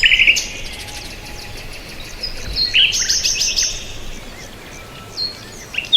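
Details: High bird chirps and short whistled phrases come in scattered bursts, loudest near the start and around the middle, over a faint noisy background.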